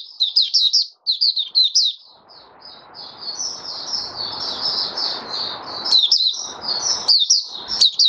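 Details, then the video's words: Oriental white-eye in a cage giving its open song after monthly deworming: fast high chirping phrases at first, then a sustained sweet warble laid over loud broadband hiss and a few clicks. "Mata Puteh Raja Video 1 buka sing"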